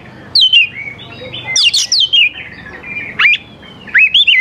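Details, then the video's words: Oriental magpie-robin singing to entice young forest birds into responding: loud downslurred whistles, a bright cluster of rising and falling notes, and sharp upswept calls separated by short pauses. "KACER GACOR SANGAT AMPUH UNTUK MEMANCING KACER MUDA HUTAN BIAR IKUT NYAUT DAN LANGSUNG GACOR"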